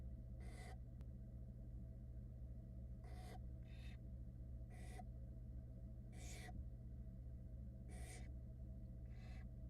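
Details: Nestling barn owls in a Florida nest box camera, 2022, protest as the mother dries off after getting wet: about eight short, airy screech-hisses, some paired, irregular timing, constant low hum underneath.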